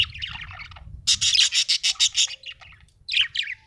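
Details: Happy budgie chirping: a rapid run of about eight bright, buzzy chirps, evenly spaced, framed by softer scratchy warbling before and a pair of sharp chirps after, with low rumbling in the background.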